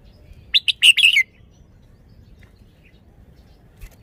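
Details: Red-whiskered bulbul, a caged song bird showing off its song style: one short burst of bright, warbling notes, two quick sharp chirps then a rolling phrase, followed by near silence.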